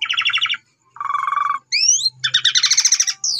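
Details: Asian pied starling singing as a lure to get other starlings to respond: a grating pulsed phrase, a lower buzzy rattle, two upward-sweeping whistles, then a dense harsh chatter.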